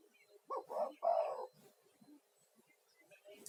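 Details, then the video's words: Spotted dove male in full voice, used as a lure and to calm stressed caged doves; one short cooing phrase, two quick notes then a longer coo, followed by quiet rustling. "SUARA TEKUKUR GACOR UNTUK TERAPI"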